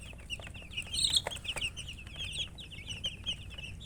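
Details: A flock of chicken chicks peeping steadily, rapid overlapping high chirps forming a constant chatter, one louder bright burst near the first second, faint low hum beneath.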